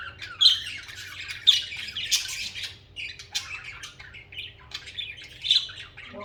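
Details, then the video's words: Singing budgerigars, social pet birds: dense high chirping and scratchy warbles, punctuated by a few sharp squeaky calls, ongoing throughout with brief quieter moments. "Most Beautiful Bugies Song | Bugies Singing and Chirping"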